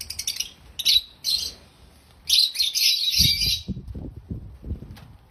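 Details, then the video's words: African lovebirds, described as happy, chirping loudly: harsh, buzzy high chirps in bursts, then a longer dense chattering run, with low thumps and knocking below toward the end. "African Love birds sounds loud🐦Love birds chirping sounds🐤Happy Love Birds sounds"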